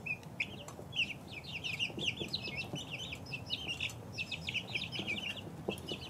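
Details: Chicken chicks two weeks old giving dense, high-pitched peeps, rapid chains of short downward-sliding notes from a group of birds, soft background rustle.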